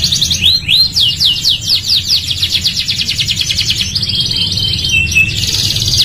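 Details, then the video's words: Vigorous gacor canary singing for training other canaries: a few sweeping notes lead into a long rapid trill, then a dense buzzy rolled passage and brief slurred notes, with a low background hum. "MASTERAN TERAPI KENARI GACOR | CANARY SINGING"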